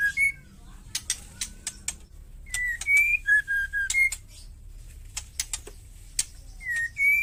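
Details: Ketrekan call of a wild female white-rumped shama, said to enrage male shamas and spur them to sing. Loud whistled notes, some gliding down and some rising, then three quick level whistles, mixed with many dry clicks and ticks.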